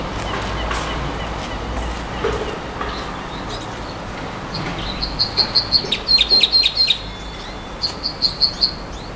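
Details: Nightingale singing: after several seconds of broadband noise and faint scratchy sounds, a rapid series of sharp, evenly spaced high notes is repeated in bursts, about three per second, over a constant hiss.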